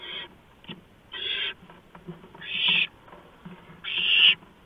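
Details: Barn owl at the nest at 4:26 AM, 6 March 2015, when a mouse arrives: three to four drawn-out raspy hisses spaced over a second apart, growing louder, with light shuffling noises in the gaps.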